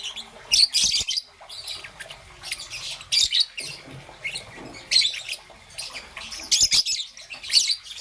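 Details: In the morning a young peach-faced lovebird, green and yellow, utters rough, high chirping bursts about every second or two, each a dense scratchy cluster, with low faint background noise.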